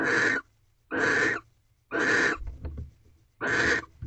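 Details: Barn owl pair in a nest box at night, mating on the fifteenth night with one egg already laid. Four rasping, breathy screeches, each under half a second, spaced about a second apart, with faint rustling between them.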